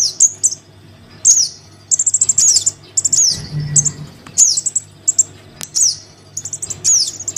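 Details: Lure recording of a crimson sunbird chick calling its parent: thin, very high squeaks slurring downward and short rapid trills in loose bursts, separated by gaps, with a steady low hum underneath.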